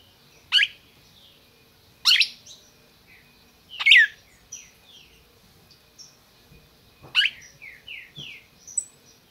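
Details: Captive red-crested cardinal from a licensed breeder in Brazil, calling: sharp, loud downward chip notes every one to two seconds, with soft high chirps and short slurred notes from other birds in the background.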